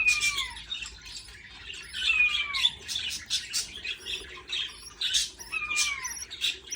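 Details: Parent budgie feeding baby chicks, with three downward-sliding whistles among dense scratchy, squawking begging noises that rise and fall throughout.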